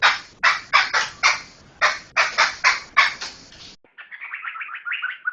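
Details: Laughingthrush chatter used as tutor audio for training other songbirds: a run of ten rasping, noisy bursts, closely spaced, then a switch to a quicker series of thinner, warbled notes rising and falling.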